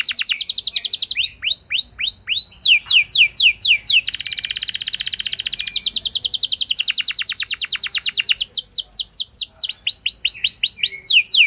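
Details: Long canary song played to make a low-spirited canary respond: varied phrases of falling sweeps, rising whistles and dense rapid trills, switching every second or two and continuing without a break.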